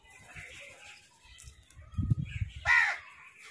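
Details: Crows squabbling while eating food give a loud, harsh caw near the end, after a burst of low thumps and rustling; fainter calls sound earlier.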